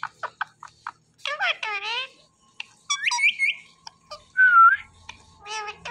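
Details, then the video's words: Talking green Indian ringneck parakeet: scattered clicks and short syllables, then buzzy chattering speech-like phrases, a bright whistled rising-falling note, and a final harmonic burst, recorded in a quiet room. "Beautiful Green Ringneck Talking Compilation"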